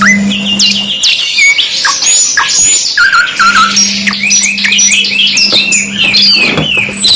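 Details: Canary in full song, pouring out fast high trills, buzzy rolls and short rising and falling whistles with hardly a pause, over a faint steady low hum.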